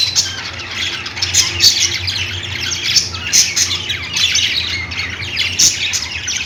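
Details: Budgerigars keep up steady, busy chatter: many birds give grating chirps and short squawks with no pauses. A soft low hum sits below.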